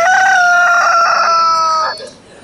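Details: A rooster gives one loud, drawn-out crow of about two seconds, opening with a few quick stuttered notes, then holding steady before cutting off.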